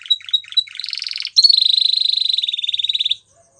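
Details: Spanish Timbrado canary giving a few short clipped notes, a low bubbling roll, then a long, loud, even metallic trill of about forty pulses that stops abruptly, followed by silence.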